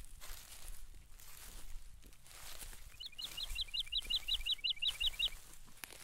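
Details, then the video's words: Background song of a woodlark at Krasny Bor, Belarus, 18 March 2015, where released bison roam: after a quiet start, one rapid run of roughly thirteen liquid, falling whistled notes over soft outdoor noise. "Woodlark's song at background."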